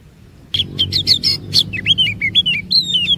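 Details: Oriental magpie-robin song played as a lure to coax other magpie-robins into long varied phrases: sharp clicking chips followed by a run of rich whistled slurs, rising and falling notes in quick succession over faint low hum.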